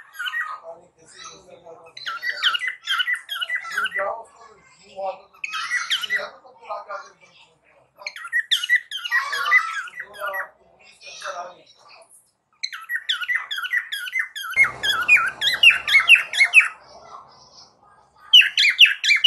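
A cockatiel gives bursts of harsh, squawky chirps and rapid warbling chatter, repeated in quick runs.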